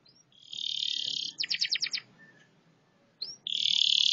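A canary sings high, rapid trills: a dense buzzy roll, then a quick run of about six sharp notes, a brief rising whistle, and another fast trill.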